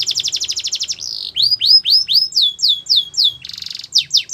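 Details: Belgian canary singing: a fast trill of repeated high notes, then a buzzy slur, a series of upswept whistled notes roughly every quarter second, a rapid rattling buzz and more swept notes.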